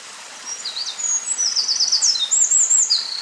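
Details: A Eurasian wren, recorded close up on 19 May 2012, sings a loud, very high, rapid outpouring of sharp notes and fast rattling trills over faint background hiss.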